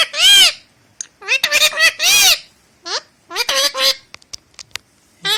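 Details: A pet Indian ringneck (rose-ringed) parakeet talking in Hindi gives harsh, nasal, speech-like phrases in short bursts with pauses, rising and falling, with brief clicks between them.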